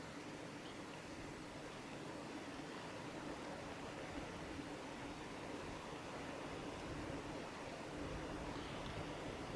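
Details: Continuous low rushing noise, like a distant stream or traffic along a forest road by a lake, with no distinct animal calls.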